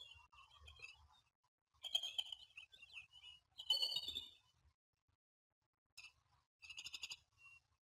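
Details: High squeaky chatter from bald eagles at Standley Lake, Colorado, 21 April 2020, 07:06 in the morning, as the male courts a new female. Short clustered bursts come with gaps between them, over a faint low rumble.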